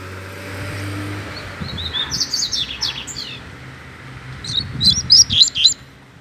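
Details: Free-flying double-collared seedeater in a residential neighbourhood gives two bursts of song, a scratchy twittering run followed by a louder series of sharp, high chirps, over a low droning hum.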